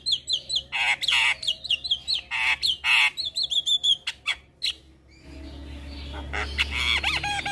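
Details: A Javan myna in full-fill song: repeated short whistled notes mixed with harsh squawks and clicks, then a spell of rough broadband noise. Used as a lure to start other mynas singing.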